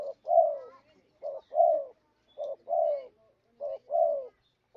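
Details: Spotted dove calling as a trapping lure, giving a steady run of two-part coos, each a brief soft note followed by a fuller drawn-out coo sliding downward, in four even pairs.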